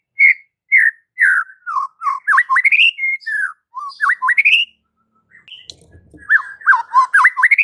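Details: White-rumped shama song played as a training recording for kept shamas: bright whistled phrases, swooping V-shaped notes and rising slurs repeated in a long run, a brief pause, then another burst of rapid whistles.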